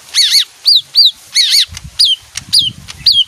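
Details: Leafbird that sings when music plays, delivering paired, ringing arched whistles and downslurs in quick succession, with faint low rumbles underneath.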